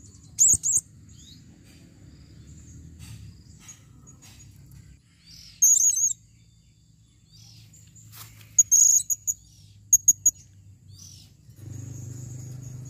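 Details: Female blue-crowned hanging parrot calls in sparse, very high, thin chirps and short trilled bursts separated by quiet gaps, over faint low background hum.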